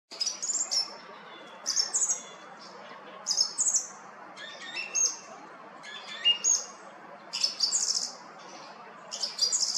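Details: A song thrush, recorded 20 March 2020, sings short bright, whistled and chattering phrases, high-pitched and varied, each burst followed by a pause of about a second.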